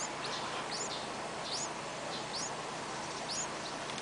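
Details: Yellow-vented bulbul nestlings begging for food, gaping hungrily: faint, high, curving squeaks about every half second to second, set against constant hissing background noise.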